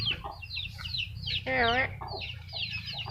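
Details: Black-capped lory: one loud, rich, slightly wavering nasal call in the middle, surrounded by frequent high, downslurred chirps of other birds and a steady low hum.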